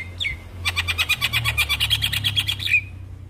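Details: Javan myna singing to get other mynas to sing: a short upslurred whistle, then a fast, even burst of about fifteen squeaky chattering notes ending in a falling whistle.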